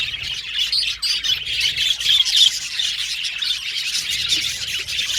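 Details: Several budgerigars singing and chattering, a lively mix of rapid high chirps, squawky notes and clicking sounds blending into a continuous warble.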